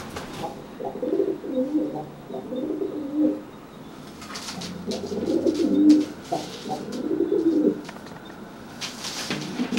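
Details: Pigeon cooing at a wet pigeon that cannot fly after bathing, puffing itself up to threaten it; low rolling coos in two bursts of repeated phrases, with faint rustling and clicks between them.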